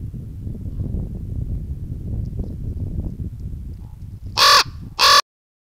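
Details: A common raven in a hilly forest near Murmansk, recorded by camera trap and calling in varied voices, gives two loud, harsh, croaking calls about half a second apart after several seconds of low wind-like rumble.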